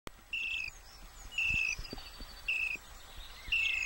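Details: Common starling chicks hidden in a tree hollow near Muchelney Abbey squeak for a parent to feed them: strained, buzzy, high-pitched begging calls, each about a third of a second, repeated roughly once a second over a soft hiss.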